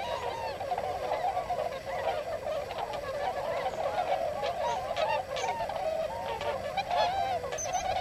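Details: Large wintering flock of Tundra Swans in open paddy fields of the Nogi Plain, Shimane, Japan, having come from the Eurasian continent; continuous shrill honking chorus, many birds calling at once, some sharper bugled notes.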